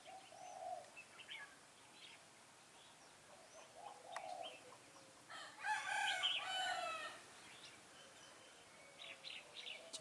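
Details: Decoy red-whiskered bulbul singing during a trapping session on 13 August 2018; soft scattered chirps and clicks lead into a strong rich warbled phrase midway, then more short calls.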